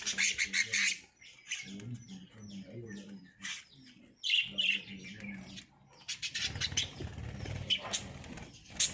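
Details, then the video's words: Lovebirds in breeding season chatter with bursts of rapid high tweets, then pause, then break into more shrill twittering, over a faint low hum. "Love Birds Singing"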